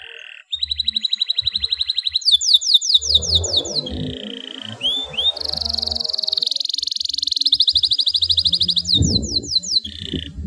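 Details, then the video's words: Canary in breeding condition singing, used to coax reluctant canaries into song and to stimulate females: rapid high-pitched rolling trills in long runs, switching between buzzy tours and sharper repeated notes, with faint low clatter beneath. "SUARA KENARI BIRAHI AMPUH BUAT TERAPI KENARI MALAS BUNYI AGAR NYERANG"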